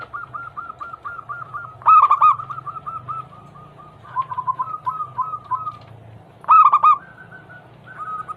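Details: Local perkutut, the zebra dove, cooing as a daily prompt for other doves: rapid runs of soft clipped notes with two loud harsh burry bursts and a low background hum.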